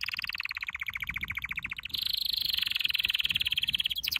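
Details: Canary singing a training song: a steady fast trill of clipped notes, then a smoother higher continuous roll that lasts to the end.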